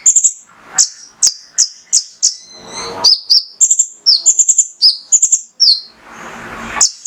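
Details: Male mangrove whistler song used to provoke other birds: crisp high whistles, level and falling, in tight clusters, interrupted by two bursts of soft rushing noise and a sharp click.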